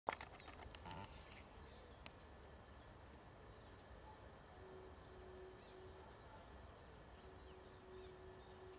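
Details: Common wood pigeon in Ljubljana, Slovenia, at Žale cemetery on 16 March 2023, gives low, soft, drawn-out hooting coos in two phrases over a steady distant rumble, with a few clicks at the start.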